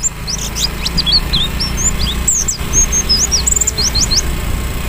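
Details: Captive white-eye that had reverted to simple twittering; owner lists moult, poor health, feed, supplements, weather or lack of companions as causes. It sings a fast run of high, thin twittering notes, quick slurred chirps and short whistles, over a steady low hum.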